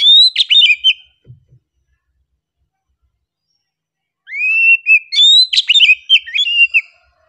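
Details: Relaxed singing by an oriental magpie-robin: a short jumble of sharp whistles, a faint soft sound, a long silence, then a fuller phrase of rising whistles and quick chattering notes.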